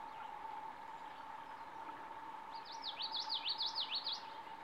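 A Common Yellowthroat sings a fast, rollicking run of high slurred notes near the end, over a steady low mechanical hum.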